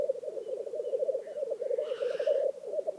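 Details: Lekking black grouse in Vinje, Telemark, Norway, give a steady, low, rolling, bubbling coo, with a few thin faint notes early on and a breathy hiss near the end.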